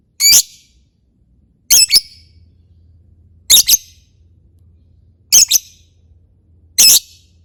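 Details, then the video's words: Lovebird chatter meant as a lure: harsh, scratchy double squawks repeated roughly every one and a half seconds, with quiet low hum in the gaps. "Suara Ngetik burung lovebird untuk pancingan"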